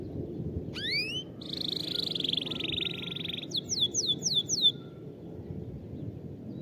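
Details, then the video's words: Song of a canary, used to teach young canaries to sing: a pair of rising whistles, a sustained buzzy trill for about two seconds, then four sharply falling sweeps before quiet background hiss. "تغريد كناري لتعليم الصغار"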